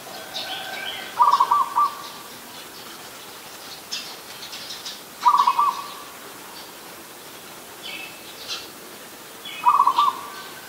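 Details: Adult zebra dove in Ubon Ratchathani, Thailand, on 24 December 2020, giving three rapid, stuttering trilled coo phrases about four seconds apart, each a quick burst of soft staccato notes; faint higher chirps of other birds in the background.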